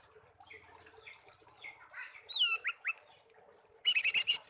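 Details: Songbird reared by hand from young, taken from a garden and kept as a tame pet for a year. Thin sweet whistles and downslurred notes lead into a loud fast rattling trill.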